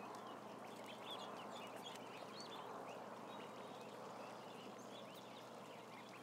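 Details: Around a thousand ducklings peep in a soft high chorus, many brief chirps overlapping, while a heavy steady hum dominates the lower range.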